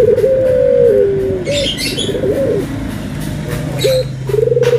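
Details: White and brown Barbary doves compared by their cooing: a long level coo stepping down in pitch, short stuttered notes, then a new vibrating phrase, while small birds chirp faintly behind.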